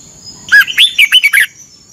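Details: Thai Red-whiskered bulbul kept in a cage, singing its training song for morning practice: one lively phrase of about seven fast, slurred whistled notes, clear and loud, with a steady high whine underneath.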